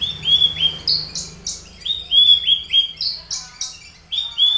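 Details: Horsfield's bush lark, Papuan subspecies aliena, a caged bird with a finch-tutored repertoire, delivering bright high chips and repeated slurred whistles about every quarter second, loud and clear over a quiet low background.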